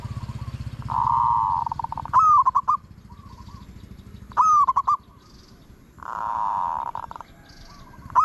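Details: Zebra dove in Thailand giving a good 'ot' style song: rolling, purring coos near one pitch, each held about a second, broken by sharp clipped notes and short trills, repeating in bursts, over low steady background hum.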